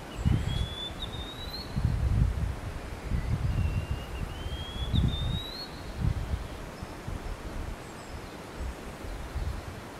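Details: Wallcreeper in the Trigrad gorge, Western Rhodopes, Bulgaria, giving thin, high, rising whistles as it approaches its nest to feed three chicks insects; a few notes spread over several seconds, partly buried under heavy low wind rumble.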